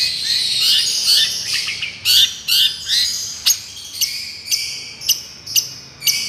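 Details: Long-tailed shrike singing 'miyik' style for therapy: a scratchy, dense warble, then sharp separate notes spaced about a second apart.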